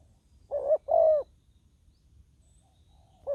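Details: Spotted dove serving as a ground decoy for wild doves; one clear two-part coo, a short note and a longer hollow one, followed by silence and the start of another call.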